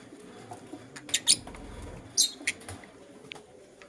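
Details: Morning chirping from a lutino lovebird: two loud, sharp, high-pitched squawks close together, then a quieter harsh chirp, with soft background noise throughout.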